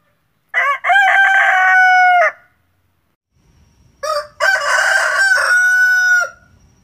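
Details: An ornamental rooster crows twice in the morning, each crow about two seconds long: a harsh, stuttering start rising into a long sustained note that drops off at the end.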